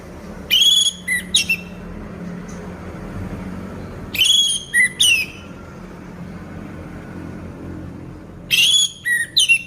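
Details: Orange-headed thrush, a caged bird in moult yet still vocal. Three separate phrases, each a tight run of three or four sharp rising whistles, spaced roughly four seconds apart against a quiet low rumble.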